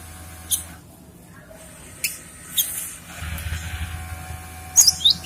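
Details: Cinereous tit giving a few sharp, high, squeaky notes in scattered bursts, recorded for use as a lure and training (mastering) sound, with a man's brief spoken words and a low background hum.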